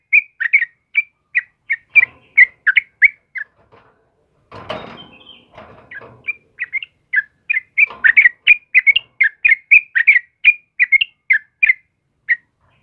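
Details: Sooty-headed bulbul of the kebo type singing vigorously in the morning: short whistled, warbling phrases repeated steadily, broken midway by a brief burst of rustling noise before the chattering notes resume.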